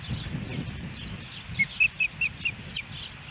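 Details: An osprey at its Hellgate Canyon nest in Missoula, Montana, July 13, 2018, during a day with three fish deliveries. A run of six loud, clipped whistled chirps comes about every quarter second, over a soft low hum.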